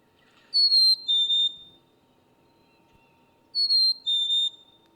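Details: Black-capped Chickadee whistles its clear two-note song, a higher pure note sliding down to a slightly lower one, given twice about three seconds apart; the song is likened to 'feed me' or 'cheeseburger'.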